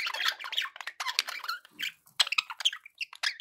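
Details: Budgerigars chattering in dense overlapping bursts of scratchy, warbling chirps, fast and broadband, with brief gaps between phrases.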